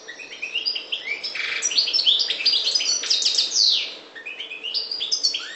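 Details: European goldfinch of the parva form from the Maghreb singing a fast, twittering song of bright chirps and short buzzy trills, high-pitched and tumbling, with a brief pause before a closing run of rising notes.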